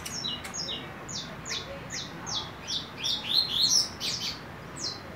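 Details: Juvenile saffron finch, four months old and starting its first moult, singing: a run of sharp, high descending slurred notes, spaced evenly at first, then bunching into a quicker jumbled twitter near the end.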